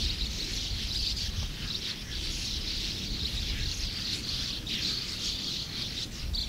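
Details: More than 100 sand martins at a colony keep up a continuous, rasping chatter of high twitters, rising and falling in rough pulses, with low background rumble.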